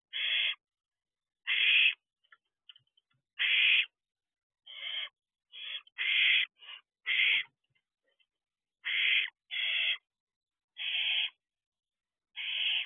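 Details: Several barn owl owlets inside an owl box at 12:49 am, allopreening each other, producing a steady series of harsh, breathy screeching hisses roughly every one to two seconds, with scattered soft clicks between.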